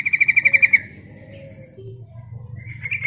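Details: Female yellow-vented bulbul calling to attract males, used to lure birds: a rapid trill of about ten bright pulses that falls away at the end, then a high squeak and soft chirps over low hum.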